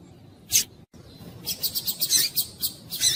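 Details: Captive female Double-collared seedeater, locally coleiro tuí-tuí, calling to excite the male. Short high chips are repeated quickly in an uneven series, after a single isolated note at the start, over a low background hiss.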